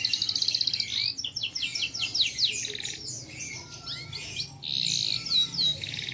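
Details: Captive canary from a private collection singing: a rapid high trill opens, followed by fast descending rolled notes, scattered chirps and another bright sustained trill with a sweeping whistle near the end.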